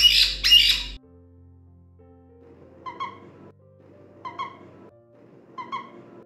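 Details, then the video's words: A caique parrot gives two loud, harsh squawks, then three shorter, fainter nasal calls about every second and a half, over a low steady background hum. "Here I will show you few typical sounds of the caique parrot."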